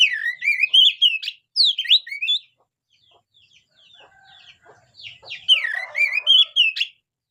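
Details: Oriental magpie-robin song: bright, rapid whistled phrases with steep up-and-down slurs and trills, two loud bursts separated by a pause with faint distant chirps.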